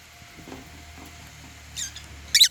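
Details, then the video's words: African lovebirds at meal time, eating holy basil: after a quiet stretch with low room hum, two short, harsh, high chirps come near the end, the second one louder. "Meal time | African Love birds | Eating Holy basil | chirping sound"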